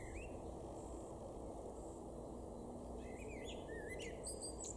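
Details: Male Common Blackbird singing in a garden in Weener, East Frisia, far northwest Germany, in May 2022: a short, faint phrase near the start, then a quick twittering run of rising and falling notes late on, over steady low background hum.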